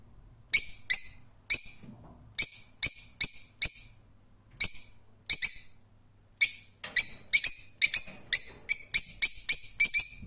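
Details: Rose-ringed parakeet giving many shrill, squawking screeches, scattered at first and then in a quicker, denser sequence toward the end.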